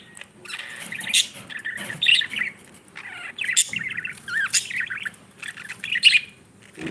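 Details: Budgerigars, a breeding pair with babies, chatter continuously in loud, rapid, warbled chirps and scratchy squawks, with short sharp peaks throughout and faint rustling between phrases.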